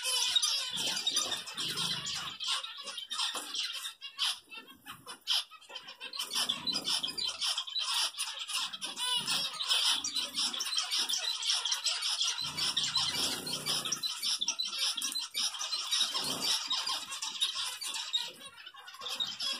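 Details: A group of zebra finches eating homemade egg food chatters with busy, nasal beeps and high chirps that overlap almost without pause.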